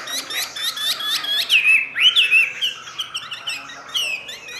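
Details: Chinese hwamei kept in a cage in Vietnam gives a run of sharp, rapid chips that leads into rich, looping whistled phrases, followed by quieter scattered notes.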